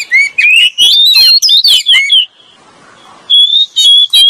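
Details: Oriental magpie-robin, male and female, used as a lure. Fast, rising whistled notes run together into a lively phrase. A brief silence follows, then steady clear whistles resume.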